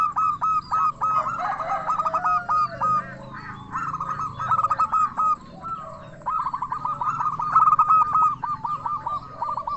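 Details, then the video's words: Zebra dove song in the 'crystal voice' style, a lure that excites other doves to answer. Bursts of fast, stuttering coo notes with sharp downward hooks come in long runs separated by brief pauses. A second, softer dove-like voice is faintly audible underneath. "Perkutut Lokal Gacor SUARA KRISTAL Ahlinya Bikin Semua Burung Perkutut Langsung Nyaut"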